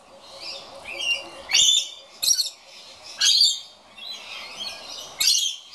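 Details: Scaly-breasted lorikeet at an empty birdfeeder, apparently complaining, gives harsh, shrill screeches in short bursts about every second over a steady low background hum.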